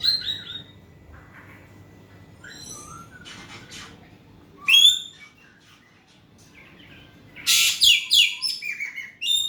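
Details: Asian pied starling singing loudly, used as a lure to prompt a quiet bird to answer: scattered whistled notes and chirps, then a loud burst of harsh, rapid, crackling notes near the end, with faint low background hum.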